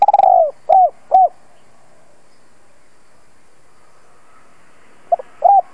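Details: Lure spotted dove calling to draw in wild birds: a falling rolled coo and two clean coos, then about four seconds of quiet before short notes and another coo begin a new phrase.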